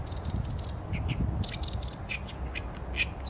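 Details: Short stretch of Oriental reed warbler song, Sony A7M3 recording: quick rasping, croaky notes and a thin whistle, uneven and guttural, against a low rumbling background.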